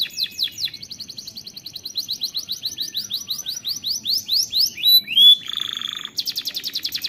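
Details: Singing canary running through rapid tours: quick repeated high slurred notes, a loud pure whistle, a buzzy rattling phrase, then a dense high trill, bright and continuous throughout.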